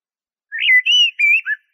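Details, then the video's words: Song of a Eurasian blackbird (jahmoumia): four mellow whistled notes run together, rising, holding steady, then dropping to a lower closing note. Nothing else is heard. "تغريد طائر شحرور (جحمومية)Merle noir"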